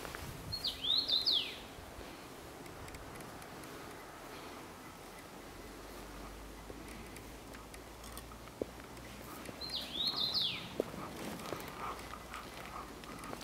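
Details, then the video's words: An unidentified, skittish bird sings two brief, high phrases of quick down-slurred notes about nine seconds apart, over a steady hiss of background noise. "What bird is singing here?"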